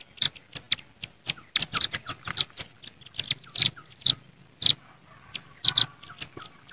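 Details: Wild velvet-fronted nuthatches calling to rivals, a noisy combined recording: scattered high, dry chip notes in uneven clusters with short pauses between bursts.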